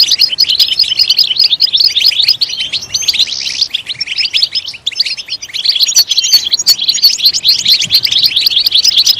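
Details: European goldfinch singing loudly: a rapid, unbroken twitter of high, tinkling notes and quick buzzy trills that continues through the whole stretch, with brief dips midway.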